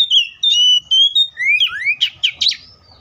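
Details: A continuous whistled phrase from an Oriental magpie-robin: sustained pure notes stepping between pitches, rising slurs, then a burst of rapid scratchy chirps at the end.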